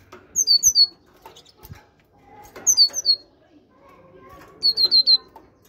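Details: Great tit kept in a cage, captive-bred, gives three short bright phrases of three to four sharp high whistled notes spaced about two seconds apart, with faint room noise and a brief low thump in between.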